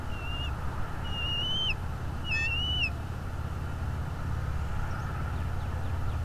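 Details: Bald eagle at its nest in Northeast Florida, filmed by a nest camera on the morning of 22 February 2022: thin, high whistled calls with slurred notes, given in short bursts around one and two and a half seconds, over a steady low rumble.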